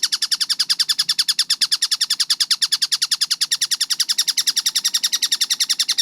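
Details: Clear, fast-paced calling of a collared kingfisher (tengkek buto): a long, dense train of sharp, rasping notes repeated evenly at high speed throughout, with clean silence beneath.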